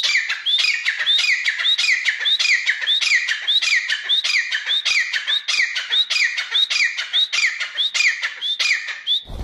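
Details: Grey francolin, known locally as gora teetar, calling: a loud, steady series of sharp, high, squeaky notes with a rising upturn, repeated roughly one and a half times per second throughout, with no other clear sounds.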